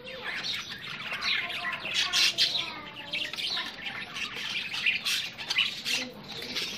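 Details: Aggressive meeting of Australian budgie parrots: continuous high, warbling chatter mixed with grating squawks, swelling in rapid clusters around two and five seconds.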